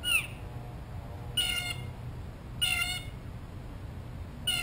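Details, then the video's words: A blue jay right at the microphone while seeking a peanut gives loud, harsh, harmonic calls, four of them spaced about one and a half seconds apart, each short and rasping. "Amazing Blue Jay Calls - Up Close and Loud"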